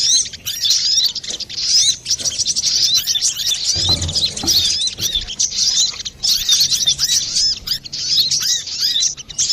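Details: Brown-throated sunbird, a lively, clear-voiced singer used as a lure for trapping or to coax silent birds into singing. It gives dense, continuous high twittering with rapid chirps and down-slurred notes, broken by a soft thump near four seconds.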